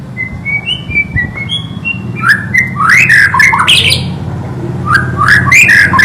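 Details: Singing White-rumped shama: a quiet string of thin whistles gives way to vigorous, loud, jumbled phrases of fluty swoops and harsh chattering notes, repeated in bursts.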